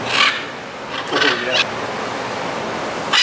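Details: Blue-and-yellow macaws in the Los Palos Grandes neighbourhood of Caracas, Venezuela, on 21 July 2012: harsh, broad squawks in short bursts, with a pause between them and a low city hum in the background.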